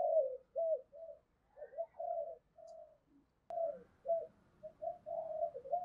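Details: Spotted dove used as a decoy, heard at a distance with a faint rumbling background: a run of short, even, bending coos, a brief break, then more repeated coos.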